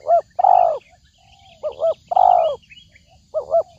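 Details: Spotted dove call used as a trapping lure: a rhythmic phrase of a quick double hoot and a longer, slightly falling coo, repeated every second and a half. Soft twittering of other birds sounds in the background.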